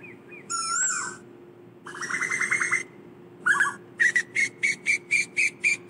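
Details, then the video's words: Asian koel calling the flock: a squealing phrase and a fast stuttering burst give way to a steady series of short, sharp kik notes, about four per second. A constant low hum sits behind. "Tiếng chim tu hú gọi bầy"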